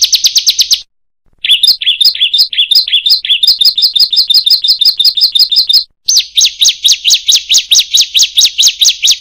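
Bar-winged prinia singing high, rapid chattering bursts: fast sharp notes, a brief pause, then a long run of quick chirps, several per second, with nothing else heard.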